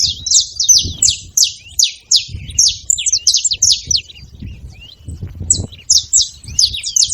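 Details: Saffron finches in a group making noise together: dense, high chirps and quick downward-sweeping notes tumbling over each other about three times a second, above low background rumble.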